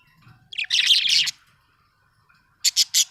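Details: Happy budgerigar letting out a loud, dense scratchy warble for almost a second, then three quick, clipped high chirps.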